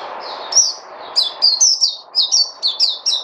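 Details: A bird sings a run of short, high chirped notes, each sliding downward, given in quick bursts of two or three with brief gaps, over a soft low murmur in the background.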